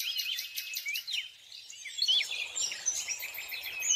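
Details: Scarlet minivet (Pericrocotus speciosus): quick series of high, thin whistled notes with upward and downward slurs in fairly steady rhythm, then scattered sharper chirps among other faint bird sounds.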